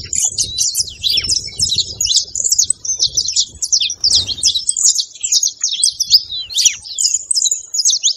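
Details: Saffron finch song for stimulating a silent canary: a sustained stream of bright, high, rapidly repeated chirps and slurred notes with almost no pauses, and a faint low noise at times.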